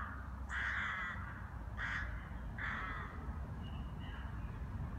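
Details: Rooks wintering in Brno, Czech Republic, gathering to eat seed mixture poured under a tree; three harsh hoarse caws about a second apart, then fainter distant calls, over steady low traffic-like rumble.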